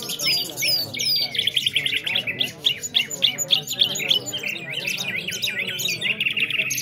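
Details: Several nightingales singing in a competition in Afghanistan. Dense overlapping song of downslurred whistles and rapid chattering phrases, roughly three notes a second, over a steady background of human chatter.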